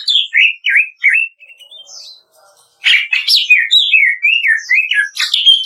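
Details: Master kretekan song of the greater green leafbird for bird training: wavering whistled notes, a brief faint lull, then loud crackling bursts mixed with looping, sliding whistles in fast succession.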